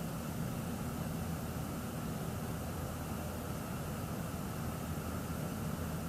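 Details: A low, constant engine-like rumble and hiss continue throughout, and no animal voice is heard.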